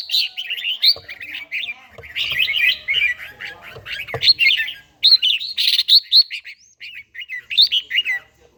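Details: Morning song of a trained red-whiskered bulbul with a forest-type voice: dense, lively chattering phrases of fluty, slurred notes, grouped in loud bursts separated by short quiet gaps.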